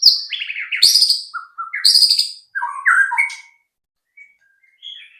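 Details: White-rumped shama singing as a lure to trigger song in other shamas: a varied, rapid phrase of descending whistles, low notes and sharp high bursts, ending in a pause and two faint soft notes.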